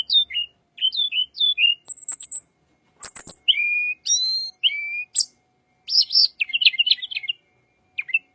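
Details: Wild tledekan song, said to sound calm, used to lure birds: fast series of slurred whistled couplets, high sharp chips, a few level whistles, then a jumbled twittering trill.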